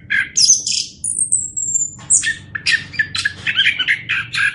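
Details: Orange-headed thrush singing as a master recording for teaching other birds: scratchy notes, one long thin whistle sliding down, then quick chattering, varied phrases.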